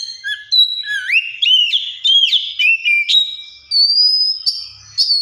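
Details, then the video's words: Oriental magpie-robin imitating the sounds of other birds: clear whistled notes slurring up and down in quick varied phrases, with a few sharp chips and a high sustained whistle near the end. "COPSYCHUS SAULARIS SOUNDS LIKE THE WILD MAKES OTHER BIRDS SOUND!"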